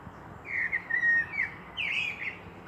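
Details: Blackbird song in Meschede, 18 May 2021. Two mellow, whistled phrases with slurred, rounded notes. The first glides along at mid pitch and the second rises a little brighter, with a quiet gap between them and light background noise.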